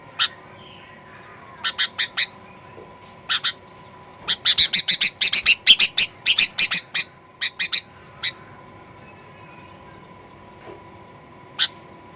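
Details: Sooty-headed bulbul lure recording for provoking aggressive singing: sharp clipped notes, first scattered, then a dense rapid chattering run, then slowing to isolated notes, over a faint constant hum.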